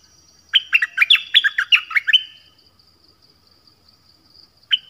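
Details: Nok dok taeng singing, a recording meant for young birds to copy: a two-second phrase of clear whistled notes, some swooping and some dropping, then quiet and a single note at the end.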